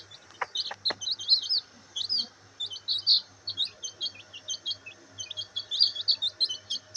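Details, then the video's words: Several high chirps and peeps from black bantam chicks basking in sunlight, a busy, continuous stream of short piping notes with a faint low hum beneath. "Chicks Chirping Sound"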